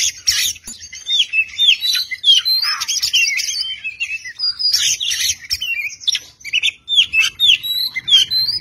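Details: Oriental magpie-robin, a fine tutor song for training cage birds: a dense, energetic stream of varied sweet whistles, upslurs and scratchy chattering notes, delivered without pause.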